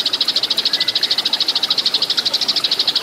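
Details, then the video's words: Eurasian tree sparrow fighting song as a training recording for cage birds: an unbroken, very regular stream of high ringing chips repeated rapidly, loud and clear. "MASTERAN BURUNG GEREJA TARUNG"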